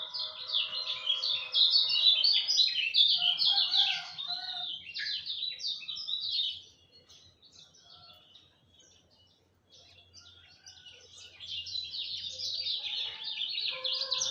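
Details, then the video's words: At dawn, a lemon-bellied white-eye pours out rapid high chattering phrases, goes quiet for a few seconds amid faint low background hum, then resumes its twittering warble. "Kicau Joss Kecial Kuning Subuh"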